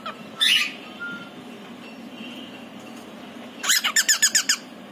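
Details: Pied male cockatiel at home calling its partner: one short harsh burst, a faint whistle, then a run of about eight quick piercing chirps toward the end over low room hum.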